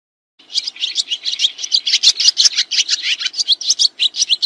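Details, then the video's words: Swiftlet calls recorded as training material for kacer and murai birds, beginning after a short silence with a steady run of sharp, high, scratchy chirps about three each second. "SUARA BURUNG SRITI"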